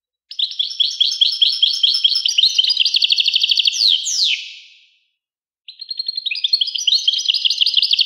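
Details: European goldfinch song in fast, jingling phrases of repeated chirps that rise into a sharp, sliding note and fade, then after a pause resume with lively twittering.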